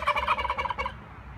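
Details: Sanctuary turkey gobbling: a fast burbling rattle of throaty pulses lasting under a second, then fading to quiet.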